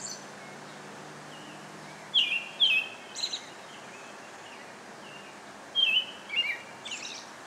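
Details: American robin singing short whistled caroling phrases in two bursts, three phrases then a pause of about two seconds and three more, some notes thin and high, against soft outdoor background noise.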